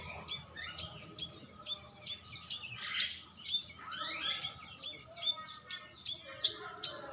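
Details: Sooty-headed bulbul call played as a lure to draw an answer from other birds, sharp high chirps repeating steadily roughly every half second, with a short buzzy rattle and a sweeping note midway.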